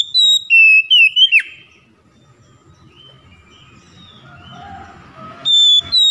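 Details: Oriental magpie-robin song aimed at coaxing mute, lazy birds to sing: a fast series of pure high whistles ending in a steep falling note, a pause with faint chirping and hum, then two more whistled notes.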